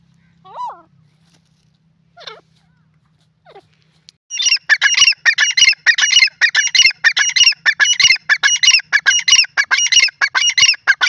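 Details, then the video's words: Francolin giving a few soft descending notes, then a long, loud run of harsh, rapid chattering notes repeated steadily about every half second. "teetar ki awaz from africa to india"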